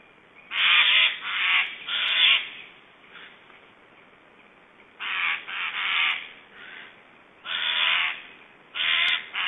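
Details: Black storks in Estonia on 1 July 2012, around feeding, give strange hoarse, rasping, crow-like bursts in runs of two or three, with bouts every few seconds and quiet gaps between.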